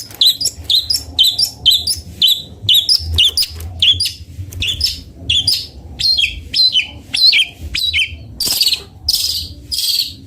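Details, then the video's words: Long-tailed shrike, called cendet bondol locally, sings loud, rapid, sharp chirping notes repeated about twice a second, with short gaps and harsher, broader bursts toward the end, over a faint low hum. "Suara merdu burung cendet bondol"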